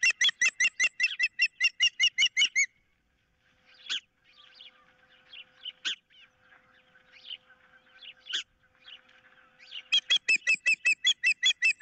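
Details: Nest-cam ospreys, April 15, 2023: a fish-holding bird on a picnic pole, its mate after the catch, an intruder in the area. Two bursts of fast, evenly spaced, shrill chirps frame a stretch of softer calls and small birds.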